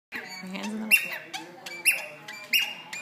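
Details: A cockatiel perched on a ladder gives three clear, high, sustained whistles, each about a third of a second long and roughly a second apart; a faint human voice is heard at the start.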